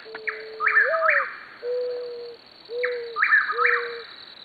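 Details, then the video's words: In an Oklahoma landscape, a mourning dove gives soft, low, drawn-out coos, one slightly rising, over a chuck-will's-widow's repeated three-part whistled song and a steady high cricket trill. "The haunting sounds of a mourning dove"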